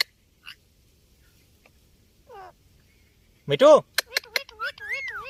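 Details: Indian ringneck parakeet, a pet talking bird, giving a loud burst of harmonic speech-like mimicry after scattered faint squeaks, then rapid chattering notes and a smooth wavering whistle.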